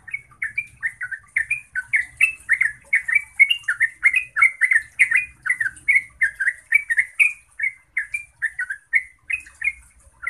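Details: A lively, continuous song from a yellow-vented bulbul, meant to provoke other bulbuls into answering: rapid chattering, bubbly notes tumbling along for ten seconds, slight low rumble beneath at first.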